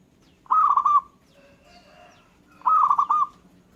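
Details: A local zebra dove sings two rolling, trilled cooing phrases two seconds apart. Between them come quieter warbling notes from other birds answering its song.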